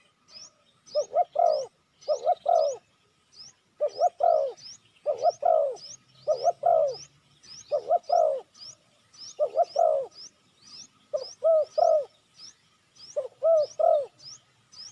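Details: Spotted dove cooing as a lure for wild doves: a long, steady series of paired and tripled hollow coos, about every second, accompanied by constant thin high chirping from another bird.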